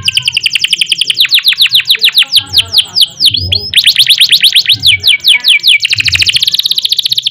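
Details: Canary singing long ngerol rolls in the Indonesian gacor style, intended as a tutor and prompt for other birds: continuous fast high trills, briefly broken by a few slurred notes midway.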